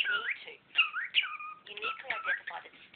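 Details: Indoor pet cockatiel talking over a lecturer. Quick whistled notes sweep sharply upward and downward, with a held flat whistle near the middle and a human voice faintly mixed in.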